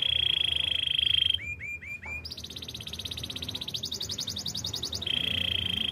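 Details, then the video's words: Belgian canary in training song, holding a high sustained roll, dropping into four slurred descending notes, then a rapid pulsed trill before the rolled tone returns. "Canary training song - Belgian canary singing"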